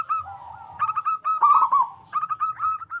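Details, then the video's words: Zebra dove of a local strain with a large voice, singing often, used as a lure for other doves; a lower drawn note leads into trilling rolled phrases and clipped repeated notes. "Perkutut Lokal Gacor Suara Besar Pancingan Burung Perkutut Agar Cepat Bunyi"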